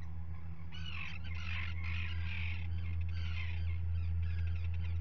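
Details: Common guillemots at a nesting ledge watched by a live camera on 27 June 2020, when two chicks hatched; harsh, grating calls between one and four seconds over a steady low mechanical hum.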